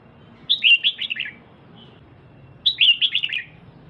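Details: Two matching bursts of rapid, bright, descending chirps about two seconds apart, given by a caged female red-whiskered bulbul stirring up the male; steady low hum beneath.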